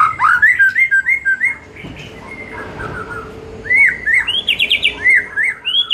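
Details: In the afternoon a white-rumped shama sings, its song used to coax other shamas into livelier, louder singing: bright rising whistles in a fast series, a short pause, then more looping whistles and a rapid trill.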